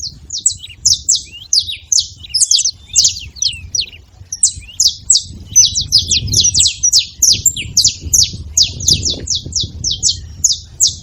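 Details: Saffron finches chattering as a group, dense runs of high, clipped, downslurred chirps tumbling over one another for over ten seconds, with low background rumble and muffled noise.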